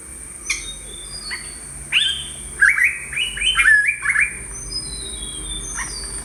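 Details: Yellow-browed bulbul from Sri Lanka: scattered sharp chips, then a tumbling run of liquid, slurred chirps in the middle, with a steady high-pitched background whine.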